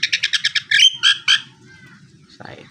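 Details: Male Nias hill myna giving six quick, evenly spaced harsh chips, then loud whistled and buzzy notes, followed by quieter calls and a brief low rustle; low background hum throughout.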